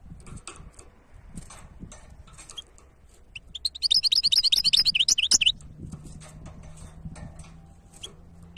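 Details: Goldfinch hybrid giving a short burst of fast, high twittering notes lasting under two seconds amid soft scattered chirps and low background rumble.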